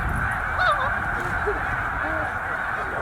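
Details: Snow geese in a huge migrating flock, roughly 100,000 birds, at Middle Creek wildlife refuge; one loud high honk near the start rises over a continuous wall of distant calling.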